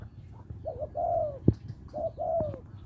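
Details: Spotted dove from Lopburi, Thailand, a small-voiced bird calling a mate: two soft cooing phrases, each a brief double note followed by a longer, downslurred hollow coo, with a sharp click between them.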